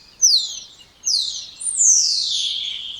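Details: Spotless starling song made of three loud, drawn-out whistles, each sliding downward from very high to high, the last longest and most slurred, in a quiet setting.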